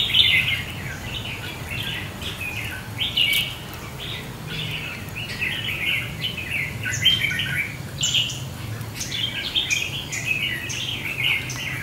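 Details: Red-whiskered bulbuls, a caged decoy set out to lure and tame a wild bird in a fighting trap, give a run of lively chirping, warbled notes and quick whistles throughout, over constant low background hum.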